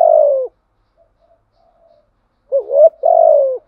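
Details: Spotted dove lure song of the thổ voice style, played to attract wild doves, covering calling, urging and cooing phrases: a low hooting coo with a short rising note then a longer falling coo, a pause, then another rising-falling phrase.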